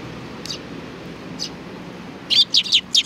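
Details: Sparrows recorded at a shrine on 4 July 2019; two faint chirps, then a loud rapid run of bright chirps packed together toward the end.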